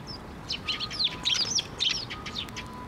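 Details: Sparrows at a shrine coming to a feeding perch for food, photographed 6 May 2023: lively overlapping chirps and short twittering notes from several birds over steady background hiss and a faint tone.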